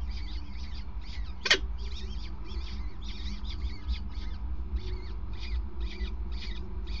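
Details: Peregrine falcon, male passing prey at the nest on a grating, recorded 5 May 2019 at 20:54; a run of short harsh chattering notes repeated about twice a second over low steady rumble, with one sharp click.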